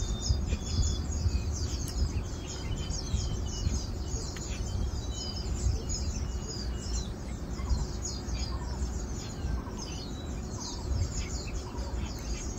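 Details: Asian glossy starlings recorded 4 August 2022 give dense, overlapping high metallic chirps and clicks throughout, a busy chattering chorus with a few lower whistled notes, set against constant deep rumbling noise.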